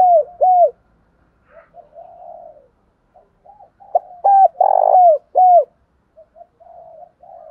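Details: Spotted dove kept as a lure bird to stir other doves into cooing: low, arched coo notes, a quick pair at the start and a loud run of four near the middle, separated by softer murmured notes.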